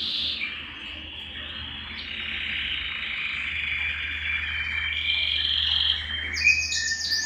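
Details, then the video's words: Belgian canary singing to warm up males and bring females into breeding condition; long drawn-out warbling tones shifting in pitch, ending with a burst of quick high chirps, over a low steady hum. "Canto Para Esquentar Canário Belga e Foguear as Fêmeas"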